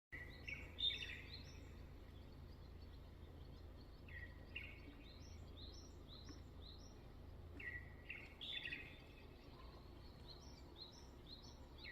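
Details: Unidentified bird singing at summer dawn on a cloudy morning at Bunam beach: bright high chirps, short rising-then-falling notes repeated in quick runs, with stronger lower notes near the start, middle and end, over a steady low rumble.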